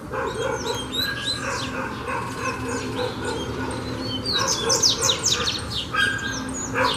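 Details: Double-collared seedeater singing during a song-stamina training session: rapid bursts of high chirps and downslurred whistled notes, denser and busier toward the end, over a steady low hum and background noise.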